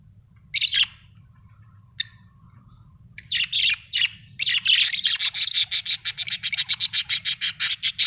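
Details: Pet budgerigars at home: a few scattered chirps, then a dense run of rapid, pulsed, scratchy chatter that keeps going to the end, with a low hum underneath.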